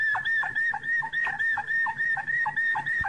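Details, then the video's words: Bird song offered as tutoring material for young birds to learn from: a sustained high whistle runs throughout, with a lower down-slurred note repeated steadily about three times per second. "تغريد طائر فلاوطا صالح لتلقين"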